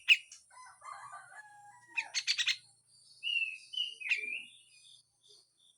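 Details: Grey-cheeked bulbul in harsh full song with raspy notes, a tutor recording: scattered chatter, a quick harsh rattle, then clear slurred whistles that bend downward.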